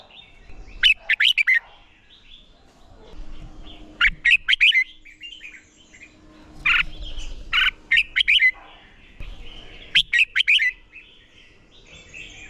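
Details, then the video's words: Red-whiskered bulbul song for competition practice, with spaced phrases of piercing chirps and slurred whistles, each lasting about a second and recurring every few seconds. "Chào Mào Hót | Thúc Chim Sổ Giọng | Luyện Chào Mào Hót Đấu"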